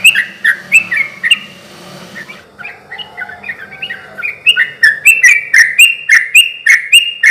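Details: Sooty-headed bulbul song for luring and stimulating other bulbuls: a few whistled phrases, a quieter stretch with a soft low warble, then an accelerating run of clear rising-falling double whistles.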